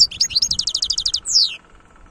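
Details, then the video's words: European goldfinch in khlouwi style song, a rapid string of about a dozen high, metallic twitters in even rhythm ending with a longer descending buzzy note. "تغريد الحسون خلوي chont chardonneret"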